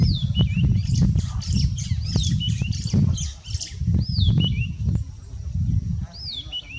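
A Red-backed Scrub Robin sings bursts of high, slurred whistles and quick twittery notes in short phrases, over a steady low rumble of wind.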